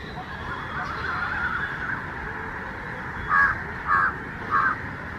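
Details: Indian golden oriole in Ottappalam, Kerala, giving three harsh, nasal notes spaced about half a second apart, over a steady background hiss.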